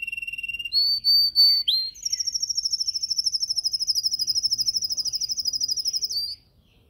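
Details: Yellow canary singing in a cage during training: a few pure whistled notes, then a long fast trill of rapidly repeated high notes lasting about four seconds before stopping.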